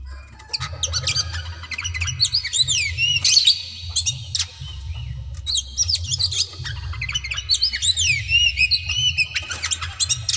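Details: Kacer daput, an oriental magpie-robin, singing insistently to goad rivals to fight: two long phrases of looping whistles and quick chirps separated by brief pauses, over a constant low droning hum.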